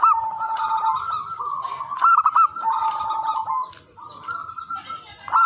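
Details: Actively singing local zebra doves, played to lure and train others of their kind; quavering coo phrases repeated with brief gaps, a few sharper looping notes standing out, steady high-pitched background tone.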